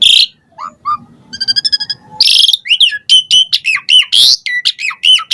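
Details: Asian pied starling song used as a lure to provoke other starlings to answer: a high buzzy burst, soft low notes and a rapid rattling series, then loud sliding whistles and harsh squeaks in quick succession.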